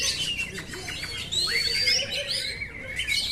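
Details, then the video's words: Oriental magpie-robin song in simulation form: clear, fluty whistled phrases with long upward and downward slurs, a few short chirps, and a fairly open, less crowded texture. "simulasi suara burung kacer"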